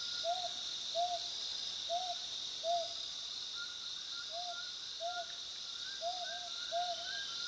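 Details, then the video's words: Mountain scops owl giving short, mellow whistled hoots in an irregular series, each note slightly rising then falling, over steady insect hiss. "Spotted scops owl 黃嘴角鴞"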